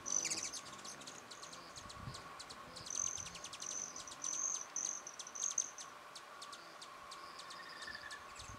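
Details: Hummingbirds at mealtime in New Mexico give thin, very high chips and short squeaky twitters in quick bursts, with a steady faint hiss underneath.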